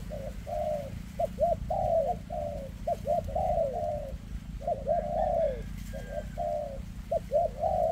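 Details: Dense 'kèm rước' cooing from a spotted dove with trembling legs: rapid short hooked notes and drawn-out descending coos follow each other closely for eight seconds, a low mechanical hum underneath.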